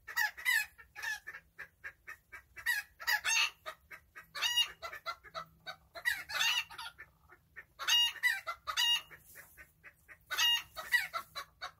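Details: Chickens enjoying a calm day, keeping up a chatter of short, nasal clucks and louder harmonic squawks. The calls come in irregular bursts with brief pauses between them.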